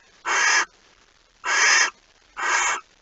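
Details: Barn owl nest, 05:14 on 26 August 2019, mouse being brought in: three loud, rough hissing screeches about half a second each, spaced roughly one second apart, with near silence between them.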